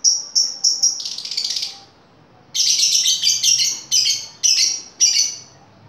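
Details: Rapid run of piercing high lovebird chirps, a quick stuttering series, a brief pause, then a denser burst of harsh shrill notes, played as a lure to prompt other birds to answer.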